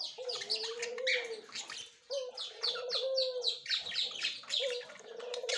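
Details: Budgerigars, a white male with a yellow-green female, recorded October 30, 2024, produce rapid chirpy warbling, fast repeated scratchy notes over a soft wavering whistle.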